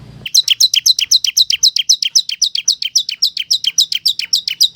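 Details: Energetic ciblek kristal (bar-winged prinia) lure song to draw a quick answer from wild birds: a fast, even stream of high, paired chirps, about four per second, running without a break for nearly five seconds.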